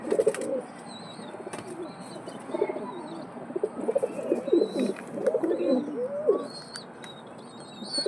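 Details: Repeated deep, burbling pigeon coos in quick overlapping phrases, several birds calling at once, with thin high chirps of other small birds behind.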